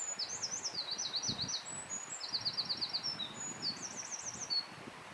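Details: Wild Eurasian wren delivering a high, rapid song: quick rattling trills alternating with thin whistled notes and sweeping slurs, several phrases over five seconds against soft outdoor background noise.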